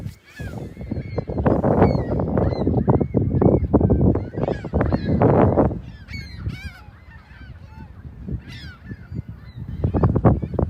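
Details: Gulls at a South Haven beach on the morning of March 21, 2021, near the lighthouse and pier: scattered high, harsh mewing cries over loud crashing waves that swell and ease.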